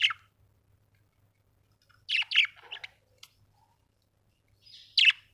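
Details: Happy pet budgerigar with a run of chattering scratchy chirps in the middle and single sharp chirps at start and end, quiet background otherwise.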